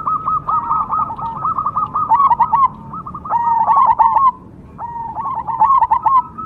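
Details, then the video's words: Caged zebra dove, called perkutut cemani, a prized Indonesian contest singer, delivering phrases of fast rolling coos, each phrase a second or two long with short pauses between. "PERKUTUT CEMANI"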